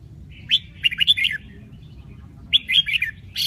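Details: Red-whiskered bulbul from Bình Định, Vietnam, noted for changing its voice over eight or nine notes: two lively warbling phrases of quick up-and-down whistled notes, roughly two seconds apart, over faint low hum.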